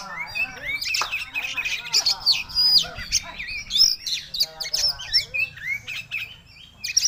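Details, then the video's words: Caged oriental magpie-robin singing again after being sick, a busy run of varied whistles, chirps and rapid trills, some notes sliding up and down, with a few sharper squawky notes and soft background noise. "Habis sakit terbitlah Suara kacer gacor"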